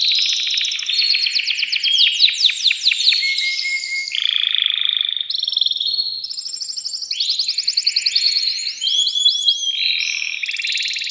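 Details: Agitated male canary singing to stimulate a female for mating: fast trills of rising sweeps, long steady high notes and rapid buzzy rolls, all high-pitched and continuous.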